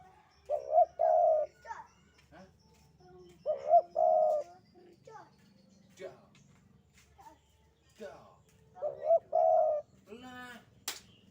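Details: Spotted dove, Javan type, calling in the sandungan kuk 2 style, low two-part coo phrases repeated every few seconds, mixed with background voices and a loud harsh sound near the end.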